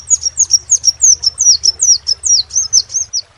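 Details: Crimson sunbird, locally sepah raja, repeating a thin, high, downward-slurred tweet about four times a second. The notes form a steady, even series of around thirteen. A low hum sits beneath.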